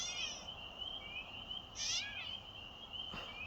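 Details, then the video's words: Catbird mewing like a crying baby: a faint call at the start, then one clear, drawn-out, slurred nasal mew. A constant high-pitched background drone continues throughout. "This Catbird Sounds Like a Baby"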